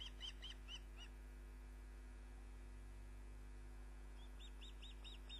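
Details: Female osprey returning to her nest at Loch of the Lowes, Scotland, with a caught fish, evening of 29 June 2010: quick series of sharp rising whistled chips at the start and again near the end, over constant background hum.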